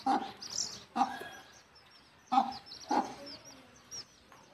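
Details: While taking her brood to roost in the nest, a mother hen utters four or five gruff clucks at uneven intervals, with thin high peeping from the chicks.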